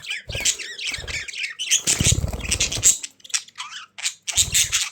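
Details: Budgerigars indoors chatter with squawky chirps mixed with loud low rustling and thumping, likely movement in the cage.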